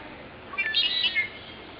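A red-winged blackbird gives one brief, bright phrase of about three-quarters of a second, with high whistled notes that end in a short buzzy trill, over a faint hiss.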